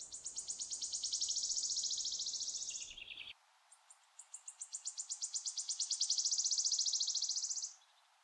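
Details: Wood warbler (Phylloscopus sibilatrix) singing: two accelerating dry shivering trills of rapid high ticks, each running about three seconds and ending abruptly, the first dropping to a lower buzzy tail, with a short pause between.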